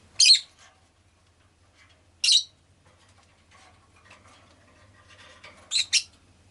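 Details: Pet rosy-faced lovebird uttering loud, shrill, scratchy chirps, single notes separated by long gaps and a final quick double chirp, with soft room noise between.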